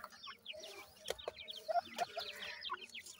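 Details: Group of young francolins giving thin downslurred peeps in loose overlapping series, punctuated by a couple of sharp knocks.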